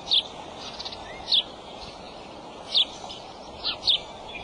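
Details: At the nest on March 23 at 2:26 pm, an adult male bald eagle calls: five high, sharp chipping notes spaced about a second apart against a steady rushing background noise.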